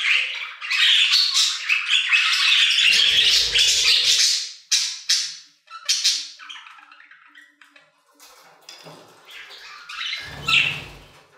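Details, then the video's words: Budgerigars in an aviary: a loud burst of thick, overlapping warbling chatter for about four seconds, then scattered clicks and short squeaks, ending with another brief chirpy burst. "Budgie Songs - 1 hour of Budgies singing in the Aviary"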